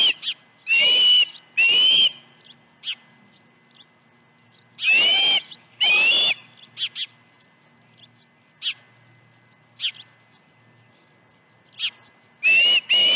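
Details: Osprey at its nest on an August 2019 morning with two fish deliveries; a few loud whistled calls in pairs, spaced several seconds apart, with soft faint chirps between and otherwise quiet surroundings.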